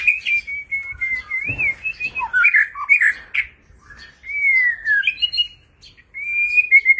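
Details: White-rumped shama giving a many-voiced display song: long, pure sustained whistles, rich warbled and looping phrases, a gliding falling whistle and short sharp notes, with brief pauses between phrases.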